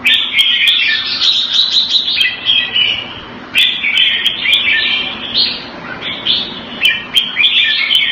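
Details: Caged red-whiskered bulbul kept Thai style in Singapore, February 2018, singing bright, chirpy warbled phrases in quick succession with sharp clicks between them, pausing briefly near three seconds.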